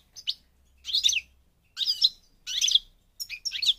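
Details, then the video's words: North African European goldfinch of the parva subspecies from Morocco, singing: bursts of high, tinkling, twittered phrases, each about half a second long, given five times within a few seconds, with short silences between them. "The Goldfinch's Song North Africa"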